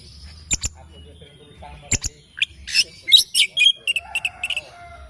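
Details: Oriental magpie-robin singing in the morning: a few sharp clicking notes, then a fast run of bright chirps and short whistled phrases climbing into a busy, varied sequence.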